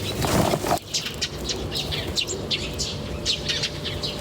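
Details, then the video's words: Wild birds chirping in a natural setting; a loud low thump opens the recording, then quick high-pitched tweets follow in loose succession over a faint rumble. "The chirping of birds in nature is very relaxing"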